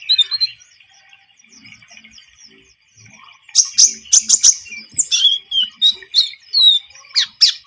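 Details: Javan munia singing, recorded as a trapping lure: soft high twitters to start, then a loud series of sharp, rhythmic chirps and short whistled slurs repeated roughly every third of a second.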